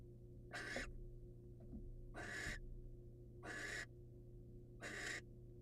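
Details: Male barn owl in the wild bringing his catch to a patient female; four drawn-out rasping hissed screeches spaced over a second apart, with a faint background hum.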